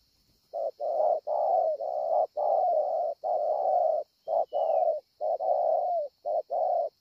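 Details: Spotted dove calling steadily at Ngọc Hồi, Vietnam, on 25 March 2020, with long runs of low hoarse coos, mostly short notes paired with longer ones, packed closely together. A faint high hiss persists throughout.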